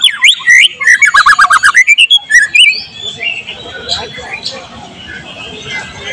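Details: White-rumped shama (murai batu) singing loud, with material mimicking cililin, cucak jenggot, canary and lovebird, recorded 12 July 2023: rapid high whistled notes, a fast trill and rising slurs for two seconds, then fading into faint background hiss.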